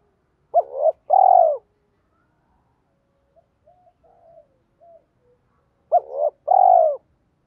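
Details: Spotted dove decoy in a two-tail calling and three-note challenge style used to lure wild doves. Two paired coos, a short rising note then a longer falling hum, repeated after a quiet gap with faint soft notes between.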